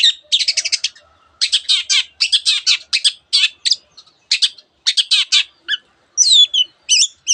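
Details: Long-tailed shrike singing a dense medley that takes in canary and many other birds' calls: fast chattering trills and harsh bursts in quick groups, a short pause, then rising and falling whistled slurs near the end.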